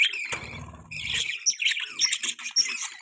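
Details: Budgerigar in mating chatter: quick, buzzy chirps and squeaky warbled notes, overlapping a short low droning sound near the start.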